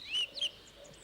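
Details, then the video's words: Song thrush of British gardens and parks, whose song is clear and repetitive, giving two clear, whistled notes about a quarter second apart, bright and high, with faint higher twittering behind. "the song thrush, familiar in town parks, suburban and country gardens, orchards and hedgerows. It has a clear, repetitive song."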